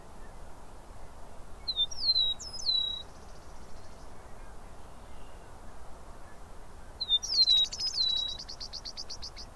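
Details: Singing Eastern meadowlark in Southern Ontario, Canada: two clear, high, slurred whistled phrases about five seconds apart. The second is overlapped by a fast buzzy rattle, and steady low outdoor noise runs throughout.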